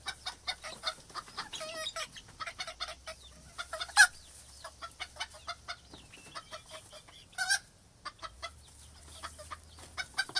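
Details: Coop atmosphere of many chickens: irregular runs of quick clucks, a few drawn-out rising calls, and two sharp louder squawks standing out over the steady chatter.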